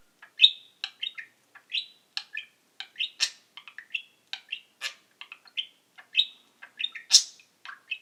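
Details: Pet male budgerigar chattering at a microphone, mimicking its own sayings and sounds: rapid bursts of bright chirps, clicks and warbled syllables, closely packed with brief gaps, one louder squeaky note near the end.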